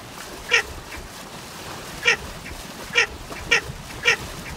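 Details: Baer's pochard producing five clipped, nasal, grating calls at irregular spacing, with a low hiss throughout.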